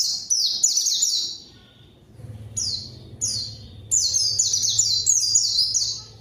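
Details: White-eye luring a rival: rapid high chattering chirps with descending slurs, delivered in several bursts with a faint low hum in the background.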